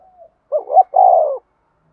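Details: Single phrase from a spotted dove calling to provoke a fight: two short rising notes, then a sustained rolling coo that sinks gently at the end.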